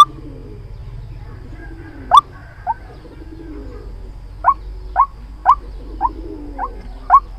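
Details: White-breasted waterhen call played as a trapping lure: two isolated sharp upswept notes, a pause of nearly two seconds, then a looser series of seven similar clipped, rising notes, over soft background hum.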